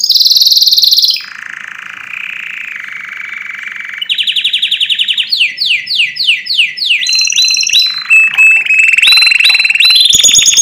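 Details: Strong canary song for teaching birds to sing. A loud high trill gives way to a lower rolling tour, then rapid descending whistled notes and a fast run of changing phrases, all in steady rapid repetitions.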